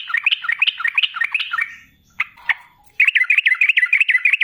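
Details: Lure recording of an energetic sooty-headed bulbul with a rapid rolling song: dense chattering, bubbly notes repeated several times a second, a brief pause with two isolated notes, then another fast run.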